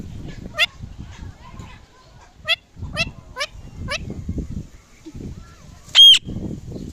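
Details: Indian ringneck parrot making short, sharp, downward-sweeping shrieks, spaced roughly half a second to a second apart, then one piercing whistled note near the end, over quiet low rumble.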